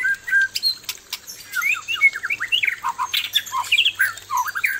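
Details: Male white-rumped shama facing an aggressive female, singing a dense, lively stream of short whistled and chattering notes in quick succession, loud and close.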